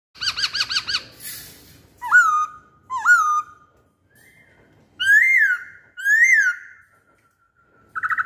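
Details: Masked laughingthrush song, kept as a lure song: loud clear whistled phrases, a fast run of repeated notes, then rising and falling slurred whistles spaced about a second apart, ending in a short burst.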